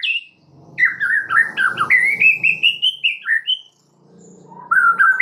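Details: Rich, rapid warbled phrases from a white-rumped shama, prompting song meant to make other birds sing, with a low rumbling murmur behind, a short pause, then a clear steady whistle.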